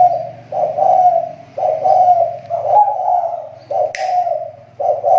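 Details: Lure spotted dove whose call has started improving after dropping off: continuous low, warbling coos about once a second, with a brief sharp click midway and steady low hum beneath.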